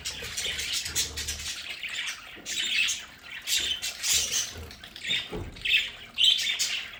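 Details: Several pet budgies squawk and chatter in their home play area: scratchy, buzzy bursts that swell and fade irregularly, with a low thump or rumble underneath at times.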